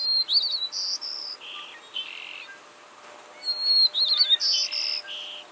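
White-crowned Sparrow singing twice: a clear high whistle opens each song, followed by quick chirpy notes and lower buzzy trills, about two seconds per song.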